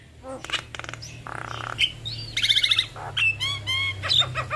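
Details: Javan myna male and female pair singing together in full voice: buzzy rasps, scratchy chatter and clear whistled notes alternating quickly, with a faint low hum behind.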